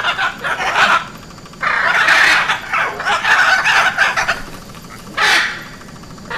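Harsh, raspy macaw squawks: a short burst, a long grating run of screeches, then one more loud squawk near the end.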